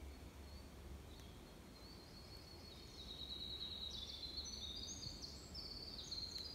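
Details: Male Winter Wren singing on an early spring morning in Maine: a faint, long, rapid high-pitched trill of tumbling notes running for several seconds over a steady low background rumble.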